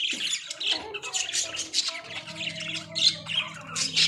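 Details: Caged Australian budgies chatter with rapid high chirps, squeaks and short warbled notes, fairly loud and nonstop, over a steady low hum.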